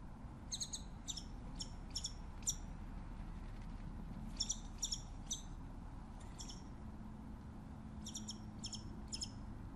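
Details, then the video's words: Scimitar-billed woodcreeper singing: faint, high, sharp paired notes come in short clusters separated by pauses, over a steady low rumble of background noise. "Canto del Trepatroncos Chinchero"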